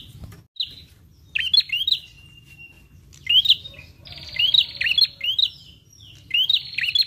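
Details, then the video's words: Sound used to lure prinias, which answer it: paired sharp rising chirps, a thin level whistle, then long rattling buzzy trills interleaved with chirps, roughly 31 phrases a minute, irregular timing. "PRENJAK LANGSUNG NYAUT DENGAR SUARA PIKAT INI"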